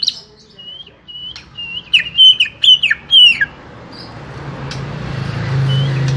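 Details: Small-bodied greater green leafbird singing a short sequence of flat whistles followed by loud, sharply dropping notes, then falling silent under rising broadband noise.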